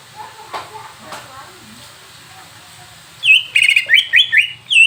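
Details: Greater green leafbird (cucak ijo) song used to rouse a bird into singing: faint scattered sounds, then a loud fast run of bright whistled, slurred notes repeating rapidly in the last second and a half.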